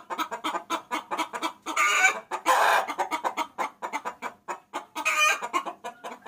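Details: Female chicken calling the male, a lure sound: quick repeated clucks punctuated by two loud drawn-out cackling bursts, one after two seconds and another near five seconds.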